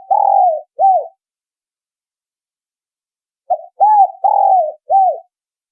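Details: Spotted dove lure call for attracting wild spotted doves: a phrase of low coos, a long note then a short arched one, followed by a silent gap and a repeated phrase of four coos.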